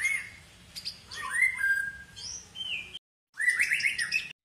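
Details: Long-tailed white-rumped shama of the Medan type singing rich, slurred whistled phrases, sweeping up and down, then a short gap followed by a quick, jumbled warbling burst.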